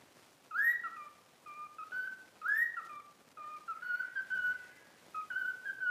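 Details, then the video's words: Pet cockatiel, taught over about a week, whistling the learned tune 'If You're Happy and You Know It': clear whistled notes, two sharp upswept notes early on, then steady held tones in short phrases, soft room hiss behind. "COCKATIEL SINGING IF YOU ARE HAPPY AND YOU KNOW IT WHISTLE"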